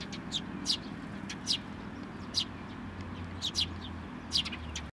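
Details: Chicks being fed by sparrows at a Tenmangu shrine on 22 May 2024; clusters of high, sharp chirps, some in quick pairs, with a low droning hum underneath.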